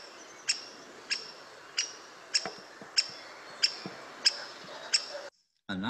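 Great spotted woodpecker giving sharp, high single-note 'kik' calls, about one every half second to second, over a soft background hiss.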